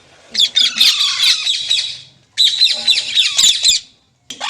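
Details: Green parrot making two long bouts of harsh grating squawks, with a thin falling whistle inside the first, separated by a brief silence.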